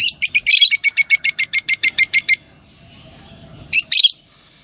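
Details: Green Fischer's lovebird pair kept as pets, giving a fast run of sharp, high chirps about every fifth of a second, then a pause and two harsher squawking bursts.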